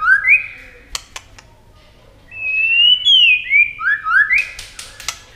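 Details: White-rumped shama in a singing contest at speed, wing-flashing and tail-flicking continuously; short upslurred whistles, a long rising whistled phrase, then a quick series of upward-sweeping notes mixed with sharp clicks.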